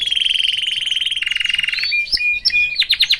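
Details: Caged canary singing among its family: fast, even rolls of bright notes for over a second, a second lower trill, then sharp whistled chips and a burst of rapid clicking notes at the end.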